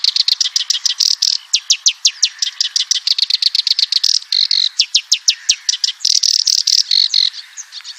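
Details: Black-browed reed warbler singing vigorously: an unbroken stream of harsh, high chattering notes about four to five per second, with buzzy churring stretches between the crisp chips.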